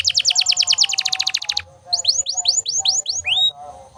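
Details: Canary song offered as a model for training other birds: a fast buzzy trill of rapid repeated notes for about one and a half seconds, then a series of loud rising-falling whistled sweeps repeated about every third of a second.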